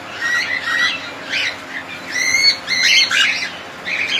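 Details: Colony of cockatiels calling in bursts of warbled, slurred chirps, some shrill and overlapping, separated by brief pauses.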